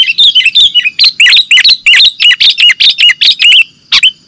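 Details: Sooty-headed bulbul, played as a bird-catching lure, giving an unbroken chatter of quick, bright chirps, roughly three per second, ending with a brief gap and two final notes.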